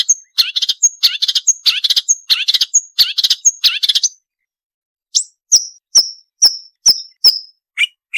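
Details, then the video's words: Marsh warbler tutor song for cage songbirds. Mixed scratchy phrases are each capped by a thin high whistle. After a pause, a slow series of clear, piercing notes follows, about two per second. "Masteran Burung Suara Tajam - Masteran Nembak Tajam - Mars Warbler"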